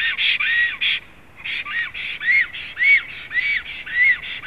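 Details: Black stork at its nest in Zemgale, Latvia, on 7 April 2016, giving quick hoarse, arched notes about two per second, with a short pause near the middle before the rhythmic series resumes.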